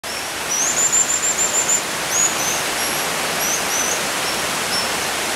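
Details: Fledgling American dipper begging its father for food on Ashland Creek, Lithia Park, Ashland, Oregon, 22 June 2012: a quick run of thin, very high piping notes, then scattered single peeps, over the steady roar of rushing water.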